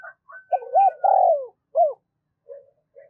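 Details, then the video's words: A spotted dove decoy bird calls to excite wild birds. There is one phrase of soft hoots and a long sliding coo, then a clipped final note. A thin sustained whistle from another bird runs over the opening. "Chim cu gáy mồi chai thúc và gáy gọi mới nhất/ chim cu gáy kích bổi"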